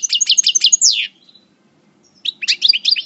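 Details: Coupleur-style parva European goldfinch in moult from El Bordj delivers a quick series of repeated descending chirps ending in a drawn-out slurred note, then after a short pause a fresh burst of tinkling twitters.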